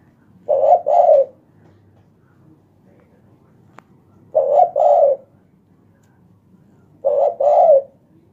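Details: Spotted dove heard at night with a loud voice, giving paired low cooing notes, a short coo followed by a longer one, repeated three times at roughly three-second intervals against a quiet background.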